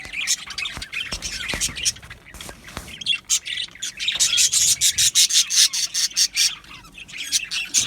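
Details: Budgerigars in an aviary colony chirping and squawking together, a dense stream of short bright chirps that grows busier and more rhythmic in the second half, with scratchy rustling underneath.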